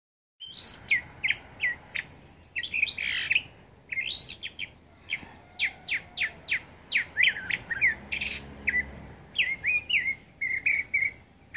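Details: A Northern Mockingbird at San José del Cabo on 13 October 2014 sings a steady run of varied, bright phrases, mostly high chirps, whistles and rattling notes, each phrase often repeated before switching.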